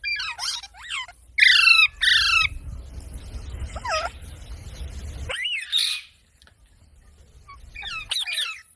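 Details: Parrot producing bursts of harsh, downward-sliding squawks, a lone bent note over a rumbling background, then a rising shriek and a few last squawks after a quiet gap.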